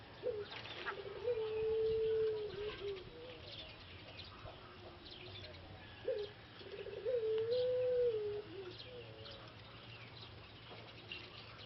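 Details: A male Pelung Barbary (ringneck) dove in a breeding cage, which lost its voice after six months of breeding, possibly from a cold, gives two long, low, drawn-out coos about five seconds apart, each swelling and fading.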